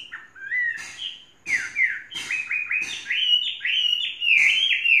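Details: Song of a tamed Chinese hwamei, three seasons old: fluty slurred whistles building into a fast run of bright, rising and falling phrases, strong and sustained toward the close.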